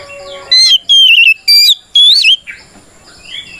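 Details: Fighting song of an oriental magpie-robin, calling out a rival and meant to provoke other birds: four loud, clear whistled phrases with wavering and trilled notes, then quieter, softer twitters fading out.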